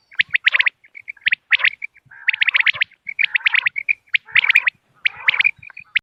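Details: Common quail call used for hunting on moonlit nights, dated 3 November 2025: repeated bursts of fast, sharp high chirps separated by brief pauses, some bursts followed by a softer buzzy trill.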